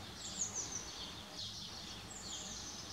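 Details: Spotted flycatcher giving thin, high, downslurred whistled calls, two brief notes spaced about two seconds apart, faint beneath a steady hissing background of insect-like noise.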